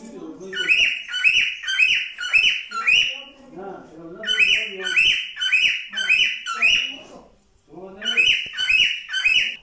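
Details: Cockatiel song made of bursts of rapid, strongly harmonic whistled notes, about seven per burst, in three bursts separated by brief lower chattering notes.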